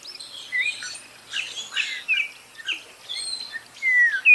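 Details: Spot-breasted oriole singing: a few clear, sliding whistles, with a long falling-and-rising phrase near the end, among scattered high chirps and twitters from other birds.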